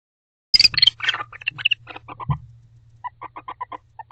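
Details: Wild barn owls close to the camera in a nest box at night, 11:20 pm on 25 October 2023, making sweet, varied loving vocalizations: a harsh burst of chittering, then a run of short, soft, evenly spaced clicking notes.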